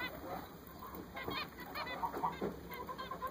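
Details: Several newly bought zebra finches call with brief honking, nasal notes, some sharper and some softer, scattered irregularly through the clip against a constant thin mechanical whine.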